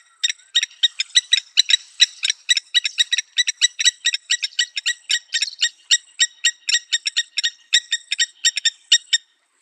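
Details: Blacksmith Lapwing (Vanellus armatus) calling at Naivasha Country Club, Kenya: a rapid series of sharp metallic 'tink' notes, about four or five a second, like a hammer striking an anvil.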